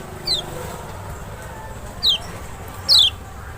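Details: Lemon-bellied white-eye (Zosterops chloris maxi, Lombok or Sumbawa), lure song for an unresponsive bird: three brief, high, downward-slurred notes spread over a few seconds against a noisy hum.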